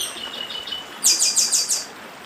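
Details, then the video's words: Northeastern chestnut-bellied seed finch singing in the Dedim style: a faint drawn-out whistle, then five quick, loud, ringing notes repeated in a tight burst against a gentle running-stream hiss. "Papa Arroz Dedim com Som de Riacho"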